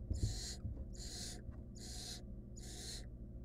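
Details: Wild barn owl nestling in a monitored nest box, trying to eat a stolen rodent alone, giving four long, rasping hisses about a second apart over a low background rumble.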